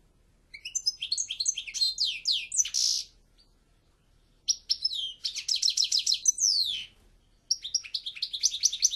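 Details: European goldfinch in full song: three bursts of tinkling, rapid twittered notes mixed with buzzy rattles and downslurs, separated by brief silences.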